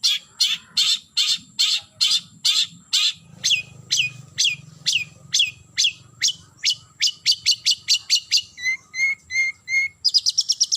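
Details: Calling a rival, a long-tailed shrike gives a fast run of harsh downslurred notes that speeds up, shifts to short paired whistles, then ends in a quick high trill; low rumbling hum in the background.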